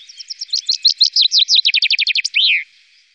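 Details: Chaffinch song from the Wittlicher Tal, 2018: a loud, high strophe of rapid repeated notes, speeding up and dropping in pitch through a rattling trill, closing with an emphatic downslurred flourish after about two and a half seconds.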